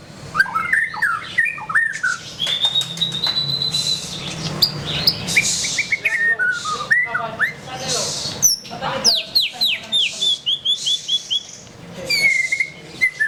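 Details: Murai batu, the white-rumped shama, singing a long varied gacor sequence: bright whistled slides, a held high note, dense rapid chattering and repeated sweeping notes, with clicking and scraping sounds in between.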